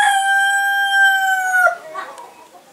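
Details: A single rooster crow, one long, steady, richly harmonic note held for about a second and a half, then cutting off sharply into quiet.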